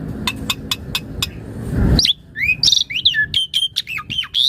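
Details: Asian pied starling song used as a master and lure for other starlings: a faint evenly spaced ticking series with background noise, then a loud burst of varied whistles, harsh chirps and looping notes.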